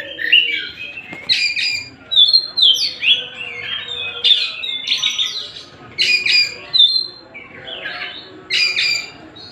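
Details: Tasik-type white-rumped shama singing a lively medley of sweeping whistles, sharp chips and scratchy chatter, phrases arriving every second or two with short pauses between.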